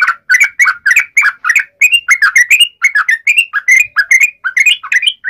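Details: Fighting song of a yellow-vented bulbul in the ngalas uplik ropel style, meant to provoke other bulbuls into replying: a dense run of bright, gurgling chirps with short rising slurs, repeated quickly and without pause.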